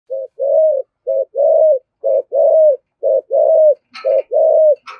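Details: Spotted dove giving a 'giọng thổ' thúc gù coo, used to provoke other doves into calling: low, hollow coos in pairs, a short note followed by a longer, steady one, repeated about once a second, with a few faint clicks near the end.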